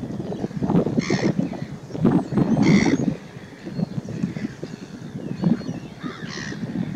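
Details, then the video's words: Pied stilt (white-headed stilt), recorded 28 July 2019, gives three nasal yapping calls spaced a few seconds apart over heavy low wind rumble. "The pied stilt, also known as the white-headed stilt"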